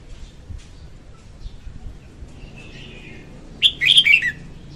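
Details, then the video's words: Red-whiskered bulbul female singing as a trap lure: after faint soft chirps and murmuring background, one loud bright phrase of fast slurred notes descending at its close. "Tiếng chim chào mào hót Ko Tạp Âm dùng đi bẫy"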